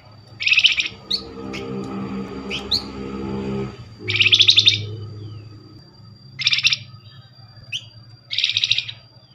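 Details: Lure recording of a Flamboyan meant to get a fast answer from others of its kind. Four dense, rasping chatter bursts at irregular intervals, with short upward chirps between them over a steady low hum.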